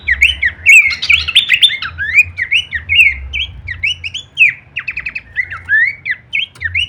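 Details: Horsfield's babbler masteran with full kleperan variation: busy chattering start, then repeated short whistled slurs, a brief rattling trill midway, and low background rumble.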